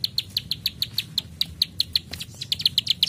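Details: Plain prinia clicking "klik klik": crisp high clicks, spaced at first, then bunching into a quicker cluster near the end, over soft low noise.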